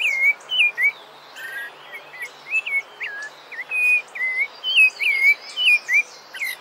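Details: Song of the rufous-bellied thrush (sabiá-laranjeira) for training birds: a lively, varied series of whistled slurs and warbled notes delivered rapidly without pause, with faint higher chips from other birds.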